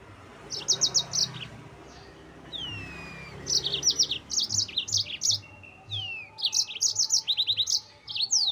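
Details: Yellow-fronted canary singing to provoke rivals, with rapid clusters of high chirped notes in several bursts, interspersed with thin falling whistles and a brief sustained tone, over a quiet low rumble.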